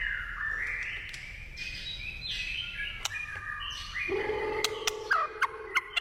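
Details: White-rumped shama singing in the wild: varied whistled phrases around the middle pitch range, a lower sustained tone near the end, sharp clicks and chips scattered through, steady background hiss.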